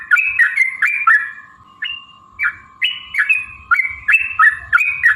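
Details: Energetic song of a yellow-vented bulbul in a long-ropel lure recording meant to spur rival birds to sing and fight: short gurgling, up-and-down whistled phrases at irregular intervals over a steady faint hum.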